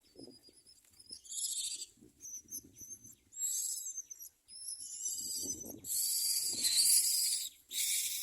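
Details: Common myna chicks in the nest beg while a parent feeds them large food, giving harsh, hissing rasps in uneven bursts that grow louder and longer toward the end, over soft low rustles and thumps.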